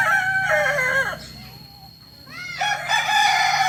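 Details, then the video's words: Tiered-crowing Kokok Balenggek rooster of Solok, West Sumatra: a bright crow slides downward and fades, a soft rising note bridges the pause, then another loud crow restarts and holds steady. "Ayam kukuak balenggek ayam asli solok sumbar"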